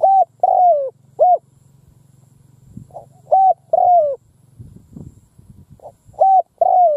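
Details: Spotted dove decoy in the field, calling wild doves in: repeated three-note coo phrases, short then long falling then short, over a low humming drone and some rustling between phrases.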